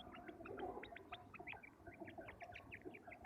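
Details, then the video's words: Male quail voices in village life: bright, short, slightly rising notes repeated in quick, irregular series by more than one bird, over a low rumbling background. "Amazing quails calling | batair ki zabrdast awaz"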